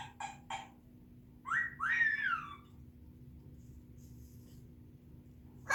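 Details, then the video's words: Whistling from an African grey parrot: two short notes, then two longer arched whistles that rise and fall, with a sharp burst at the very end over a low indoor hum. "African grey parrot sounds ,whistling"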